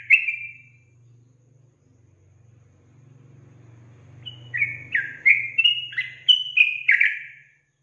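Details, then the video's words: A single whistled note from a sooty-headed bulbul, then a low droning hum, then a rapid run of rising and falling whistled notes. The song is meant to provoke untamed bulbuls into singing. "Pancingan Trucukan Bikin Trucukan Bakalan Langsung Emosi"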